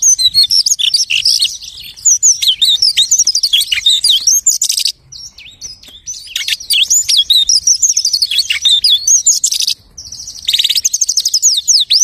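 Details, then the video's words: Continuous high warbling from a lark imitating other species: tumbling chirps, trills and buzzy bursts, broken by two brief quieter moments before resuming at full strength. "The lark imitates the singing of hundreds of birds."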